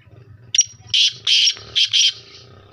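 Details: Kala teetar, the black francolin, of the Sheedi Lakka type: a short sharp opening click, then four loud rasping notes in two pairs, each pair rough and buzzy, over a faint low hum.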